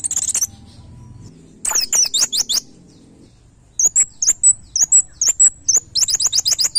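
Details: White-eye master song in the 'nembak' style for training cage birds: brief high chirps and a twittering burst after a pause, then a long run of sharp, evenly spaced high notes ending in rapid slurred twitters.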